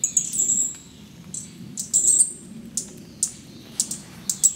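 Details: A Fire-breasted flowerpecker (Dicaeum ignipectus), labelled Green-backed Flowerpecker, gives very high, thin, sharp ticking calls in quick bursts about every half second over a faint low rumble.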